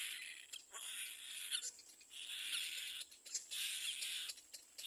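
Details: A baby little black cormorant in the nest cries loudly on seeing another bird coming to the nest: loud, hoarse, hissing cries, each about a second long, repeated roughly every second with brief pauses between.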